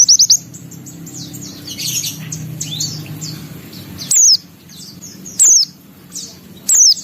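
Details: Brief high white-eye twitters open the passage, then scattered sweeping chirps and three short sharp high bursts spaced about a second apart, with a low droning background hum.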